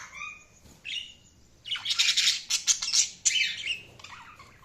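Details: Budgies chirping: soft whistled notes at first, then a loud burst of harsh, rapid chatter and squeaks from about two seconds, fading into quieter warbling.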